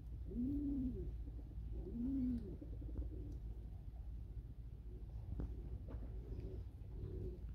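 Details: Two clear, low, bowed coos from a pigeon in the first two and a half seconds, then softer, fainter cooing over a constant low rumble.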